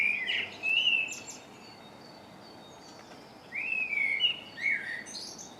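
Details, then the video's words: Birdsong from a March dawn chorus in MK, captured with a Canon Legria: two bursts of clear, slurred whistled phrases separated by a quiet pause, with faint high twitters from other birds over light hiss. "Dawn chorus very little to see but lovely birdsong"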